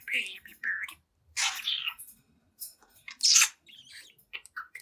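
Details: Young pet budgerigar aged seven months playing at a mirror indoors; a handful of loud, hoarse chirps and rasping, sweeping squawks separated by short silences, ending in softer twitters.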